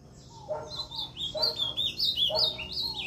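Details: Ultramarine grosbeak at Limoeiro do Norte, Brazil, on 20 September 2023, singing a north-eastern style song: a rich, fast warble of clear whistled notes sliding up and down, in phrases of about a second with short gaps.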